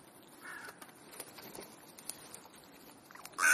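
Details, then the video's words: Crows gathered on an afternoon in Clara Zetkin Park, Leipzig: a short hoarse caw early, faint clicks and rustles, then a loud abrupt caw at the close. "Krähen-Vesper / Crow Vespers"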